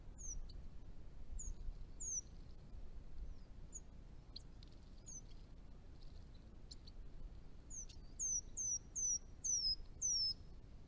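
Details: Chestnut-rumped Thornbill, a declining small bird of northern Victoria, Australia, at garden ponds: faint high downslurred whistles spaced apart, then a quicker series of five or six clear descending whistles, over steady low rumble.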